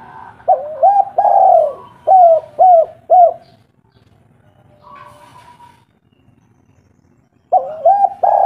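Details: Spotted dove of a local strain, singing loudly in a deep tone to prompt other doves to call back. Clusters of curved, hooting coos come in short bursts, then a silent gap, then a fresh burst.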